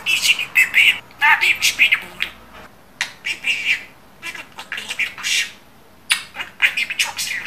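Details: Talking pet budgerigar producing repeated raspy, word-like phrases and high squeaks in several bursts with short pauses between.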